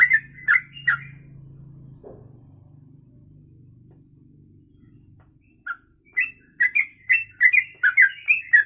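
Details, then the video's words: Sooty-headed bulbul in kongslet song: a few slurred whistles at the start, a pause filled by a low mechanical hum, then the fast chain of liquid notes resumes strongly toward the end. "Trucuk Kongslet Ropelan Panjang"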